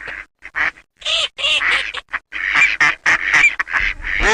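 Eurasian teal giving a rapid run of short, nasal, quacking calls, about a dozen bursts in four seconds, some overlapping as if several birds call together.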